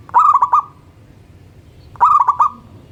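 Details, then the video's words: In morning song, a local zebra dove repeats a quick series of four to five warbling coos ending in a sustained tone, twice within under two seconds of each other. "Perkutut Lokal Gacor Manggung dipagi Hari bikin yang lain ikutan BUNYI."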